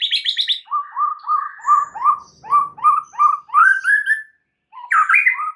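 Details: White-rumped shama singing varied phrases to spur other birds into song. A burst of high notes leads into a steady run of rich, medium-pitched whistled notes, roughly three per second. After a brief pause, a slurred phrase follows.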